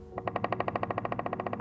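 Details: Pileated Woodpecker drumming on wood: a resonant roll of about eighteen strikes, roughly twelve per second, that speeds up and then trails off near the end, with a faint low hum underneath.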